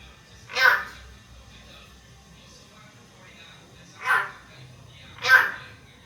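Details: Three short, harsh, bright bursts from a pet Hill myna interacting with its owner. A long quiet gap separates the first from the last two, with steady low room noise throughout.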